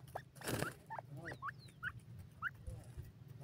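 Short, rising, slurred notes, about two a second, from a francolin, over a low rumble with a brief clatter near the start.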